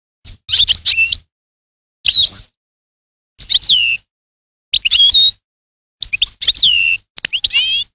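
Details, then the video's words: European goldfinch singing, recorded in 1985: repeated short phrases of liquid twitters and bent whistled notes, each about half a second, coming roughly every second or so. "chardonnerte 1985"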